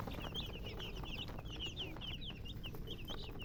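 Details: Chicks giving loud, high, falling peeps in quick succession, several birds overlapping, over a low steady rumble.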